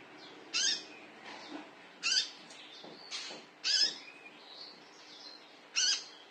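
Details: Lure call of a konin, or olive-backed sunbird, meant to prompt birds to sing along: high, piercing chirp bursts about every one and a half seconds, with faint twittering between them.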